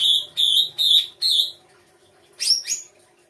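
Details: Songbird singing for use as song material: a row of four ringing whistled notes about every half second, then two quick sweeping chirps, with a faint low hum behind.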